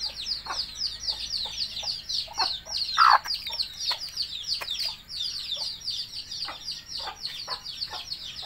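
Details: Mother hen summoning chicks to food, giving a few sharp low clucks, one louder near the middle, while the chicks keep up dense, high-pitched descending cheeps throughout.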